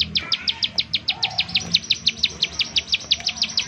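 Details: Bar-winged prinia, rapid 'nembak' call used as a decoy to get prinias singing; about twenty crisp, high, downward-flicking notes in under four seconds, steady and slightly uneven in spacing, over a quiet background.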